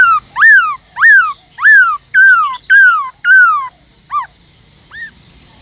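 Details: Forest-voice song of a caged Black-throated laughingthrush, played to excite other kept birds into singing: a string of six clear, loud whistles, each rising then dropping, followed by two shorter, softer notes after a pause.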